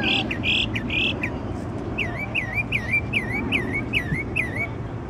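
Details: Songbird singing during the night with a varied repertoire: a few buzzy flat notes, then a repeated series of dipping, swooping whistles at a steady pace; low hum underneath.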